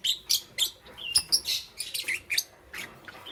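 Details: Lovebirds of green, yellow and lutino colouring in the morning give a string of loud, sharp squeaky chirps, several per second, some rising and bending in pitch.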